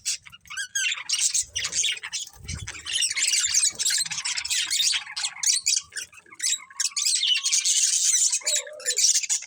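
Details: Continuous high, grating warble and chirp chatter from a breeding budgerigar pair, nearly unbroken, with a few faint low bumps.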